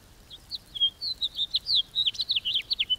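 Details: House finch delivering a fast, cheery string of varied sweeping and chirpy notes, getting busier toward the end, background otherwise still.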